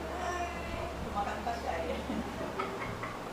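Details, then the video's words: A pet cockatoo talking, mimicking a human voice in short, speech-like phrases with a rough, harmonic tone, over a steady low electrical hum; singing and "happy birthday" phrases are heard nearby. "the Cockatoo mimics"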